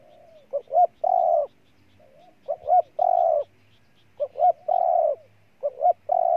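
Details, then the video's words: Spotted dove from Ninh Thuận, Vietnam, giving a soft lead-in note, a quick double hiccup, then a long mellow coo, the three-part phrase repeated four times. "Cu Gáy Ninh Thuận"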